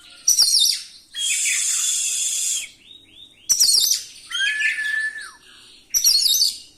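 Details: Rolling oriental magpie-robin song with varied filler phrases, used to stir rival birds: explosive high chatters, a sustained rasping buzz, then a clear whistle that slides downward, with further chatter bursts.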